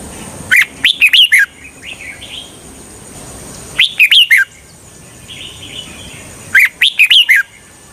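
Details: Red-whiskered bulbul decoy for trapping wild birds: three cheerful phrases of four or five rapid, bright, up-and-down whistles, spaced about three seconds apart, with soft murmured notes between and a thin high tone throughout.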